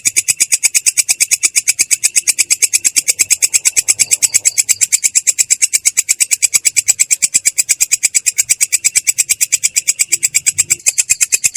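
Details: Long-tailed shrike in a continuous rolling "ngerol" song, clear yet harsh: a steady, unbroken stream of rough, buzzy notes, about seven per second, held evenly for the whole stretch.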